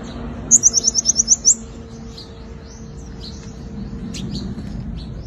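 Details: Lure song of a five-coloured sunbird, a fighting song: one crisp, very high trill of rapid repeated notes lasting about a second, then scattered quieter chips over low rumble.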